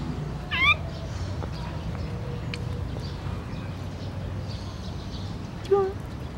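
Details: An azure-winged magpie, recorded on 17 July 2017 and described as complaining, gives two short, nasal, wavering calls about five seconds apart, over a low background rumble and a faint human voice.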